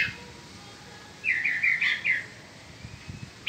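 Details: In spring, a peninsular mockingbird gives a quick, bright burst of chirpy, varied song notes lasting about a second, with a few isolated notes before and after, over a quiet background.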